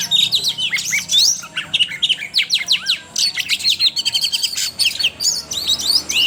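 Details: Oriental magpie-robin lure song for young birds: loud, rapid, varied phrases of sharp upslurred and downslurred whistles and chattering notes, almost without pause.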